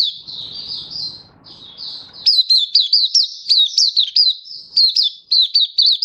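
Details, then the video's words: Oriental white-eye singing, 24 February 2023: soft, slurred, high warbling for two seconds, then a bright run of sharp, repeated downslurred chirps. "Mata Puteh Happy Buka Sing"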